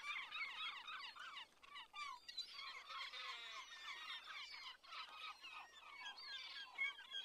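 A noisy crowd of gulls giving harsh, overlapping squawks and slurred yelps in a steady clamour, with no pause between callers.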